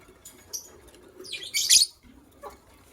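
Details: Two white lovebirds, a pair, chirp in the morning: a faint early note, then one loud, scratchy burst of shrill chirping, and a soft trailing call.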